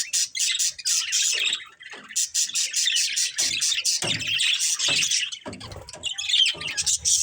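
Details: Breeding pair of budgerigars kept as a family, chirping continuously: rapid, scratchy high warbles and clicks run almost without break, with faint low thumps from movement.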